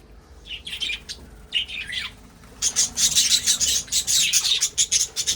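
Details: Breeding budgerigars in 2026 give short, scratchy high chirps in two brief bursts, then a dense run of rapid, buzzy chatter with irregular rhythm.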